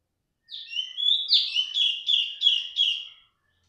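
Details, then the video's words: Loud, persistent female cungkok: a descending chirp leads into a rich buzzy note and a run of four or five rapid repeated chirps, bright and high, lasting nearly three seconds in a quiet setting. "cungkok wedok suarane buanter ra gelem meneng"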